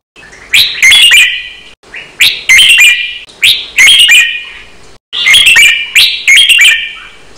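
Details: Red-whiskered bulbul giving a counted-phrase song in Thai cage-bird style, fast and doubled, used to train other birds. Rich, loud, somewhat distorted warbled phrases repeat roughly every one to one and a half seconds in a steady series.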